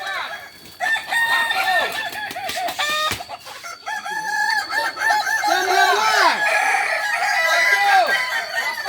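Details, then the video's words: Kokok Balenggek (kukuak balenggek) roosters in a joint training session at Ampang Kualo, Kota Solok, West Sumatra, crowing together: long chains of quick arched notes tumbling in steps, several birds overlapping continuously, with a sharp knock near three seconds. "latihan bersama Ayam kukuak balenggek"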